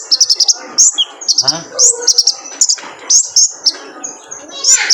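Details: Male kolibri ninja sunbird on a recording for training caged birds: quick clusters of piercing high chirps and short trills in rapid sequence, with faint lower murmuring sounds in the background.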